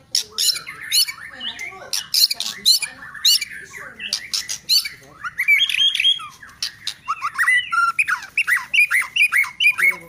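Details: White-rumped shama song opening with harsh rasping bursts, then moving into ringing whistles and looping, slurred notes repeated in quick succession.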